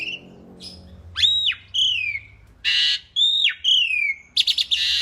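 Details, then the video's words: Asian pied starling (jalak suren) giving lively masteran song: loud downslurred whistles alternating with harsh grating blasts, ending in a stuttering rasp, with quiet pauses and faint hum between phrases. "kicau jalak suren masteran gacor"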